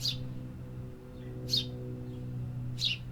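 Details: City birds calling: three quick high chirps roughly 1.4 seconds apart, each a short downward sweep, above a persistent low mechanical hum.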